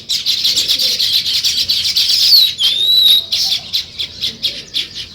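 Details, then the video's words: Sparrows chirp busily in the morning in a dense, overlapping chorus of high, rapid notes, with a few thin whistled slurs rising above the chatter. "Sparrow Morning Chirping Sounds"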